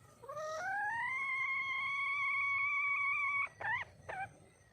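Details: Female red junglefowl calling to attract a male: one long clear note that rises, then holds steady for over two seconds, followed by two short upswept notes.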